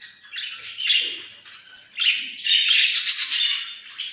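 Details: Australian parrot giving harsh, broadband squawks in two loud bursts, the second longer and more sustained, with a quieter gap between them.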